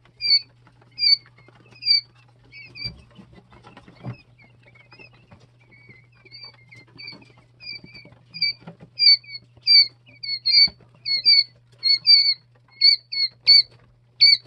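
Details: Jumbo White Quail chicks, two and three days old, in a brooder: clear high whistled peeps, each dipping then rising, scattered at first, then a quick, steady run of loud peeps in the final five seconds over a low constant hum.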